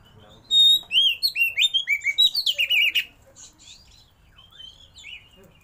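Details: Oriental magpie-robin (kacer) singing a rich, varied song with mimicked fill phrases in rolling 'tembak' style while opening its tail: a fast run of about ten bright whistled notes dipping and rising, then quieter scattered chirps.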